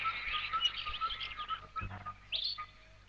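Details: A Red-capped (Natal) Robin-Chat in thick bush or forest sings in mimicry, imitating calls such as a fish eagle and a dog: rapid, chirpy high notes with a brief low bark-like burst in the middle, over a steady faint tone and soft music.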